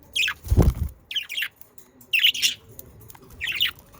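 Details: Budgerigars recorded to encourage pet parakeets to sing: raspy squawking chirps in short bursts about once a second, with a loud low thump near the start.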